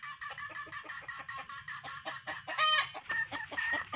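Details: Wild red junglefowl being lured with a decoy male and hen recordings: a fast, busy string of bright clucks, interrupted near the middle by a short, loud, harsh squawk, then more rapid clucking.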